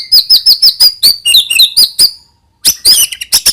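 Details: White-rumped shama song meant to prompt young birds to sing: high, rapid repeated chip notes with short slurred whistles, a brief silence, then harsh high bursts.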